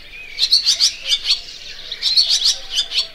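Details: Barn swallow giving bursts of high, sharp twittering chirps in two clusters separated by a short pause, each cluster of five or six quick notes, with a faint thin whistle underneath.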